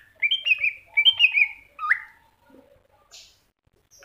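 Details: Greater green leafbird singing in cucak hijau masteran style: clear whistled phrases of slurred, looping notes, two quick bursts of rising and falling whistles followed by a sharp upward-sweeping note, then quiet with faint short chips.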